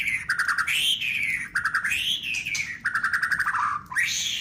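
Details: White-rumped shama singing to provoke rival shamas: loud, full phrases of fast rattling notes that swoop up into clear whistles, repeated about every second with slight changes.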